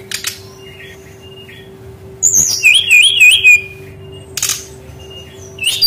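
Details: Lure song of a Brown-chested jungle flycatcher meant to coax young forest-caught birds into singing: a short burst of undulating, warbled whistles between brief sharp clicks, with long quiet stretches and a low hum.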